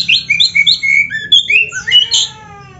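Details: Oriental magpie-robin in a training recording with rich fill-in phrases: quick run of clear whistled notes slurring up and down, followed by a harsher, buzzier burst before the song stops.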